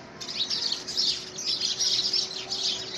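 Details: Rival house sparrows battling to take over a handmade nest box in February 2017, giving rapid, bright chirps that run together into a steady excited chatter.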